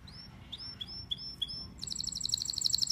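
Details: Pet canary song opening with soft, spaced, rising whistled notes roughly every quarter second, then bursting into a loud, fast, high-pitched trill; faint background noise.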